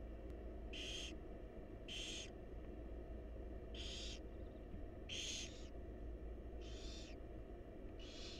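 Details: In a monitored wild nest box, barn owl babies beg while their mother feeds them, producing six breathy hissing screeches at irregular one-second intervals, with a steady low hum underneath.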